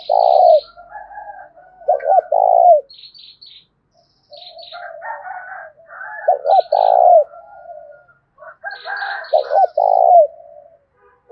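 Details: Spotted dove in the 'thổ' voice cooing to provoke wild doves and decoy birds. Repeated deep phrases of short notes and a longer falling coo, while small birds add high, thin chirps in the background.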